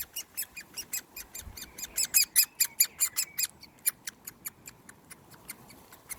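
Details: A hand-fed Great Spotted Woodpecker (Dendrocopos major) chick begs on 1 June 2020 with sharp, scratchy chip notes, about four to five per second. They rise to a louder burst midway, then ease off.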